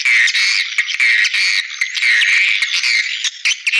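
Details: Swiftlets chatter in a dense, continuous stream of high, buzzy chirps and twitters, with hardly a pause throughout; a recording used as a swiftlet-attracting call.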